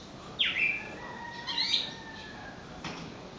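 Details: Bird singing beside a glass door toward its reflection; a sharp descending chirp then a higher squeaky note, followed by a brief click, soft background hum.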